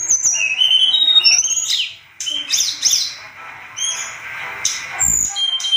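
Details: Sunda robin singing with energy for songbird training: high piping whistles, a burst of scratchy twisting notes, then spaced clear whistled phrases after a short gap.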